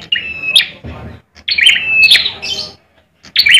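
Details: Red ciblek (bar-winged prinia) contest bird from Indonesia in fighting song: short loud buzzy phrases with a level whistle and sharp clicks, then a pause before the next burst.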